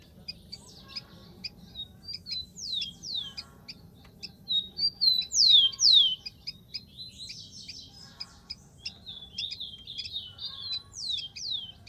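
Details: High descending whistles from a wild rufous-collared sparrow come in a repeated phrase, followed by looser twittering notes and sharp ticks; a soft low hum runs underneath.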